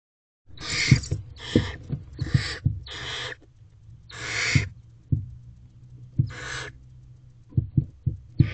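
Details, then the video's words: Barn owl owlets in a nest box competing over a mouse on April 24, 2023, late morning: a run of harsh, hissing screeches, each about half a second, seven in quick succession, with thumps and scuffling in the box. "Mine! The Mouse is Claimed by More than One Owlet."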